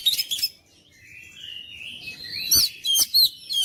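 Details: Oriental magpie-robin singing, meant to push mute kacer into full song: opening chatter, then a long soft warbling stretch of drawn-out whistles, ending in loud sharp whistled bursts.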